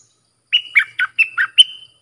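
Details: Sooty-headed bulbul singing, a recording for training hand-reared young birds. One clear phrase of six quick, liquid notes alternating between higher and lower pitches, ending in a sustained whistle, in silence.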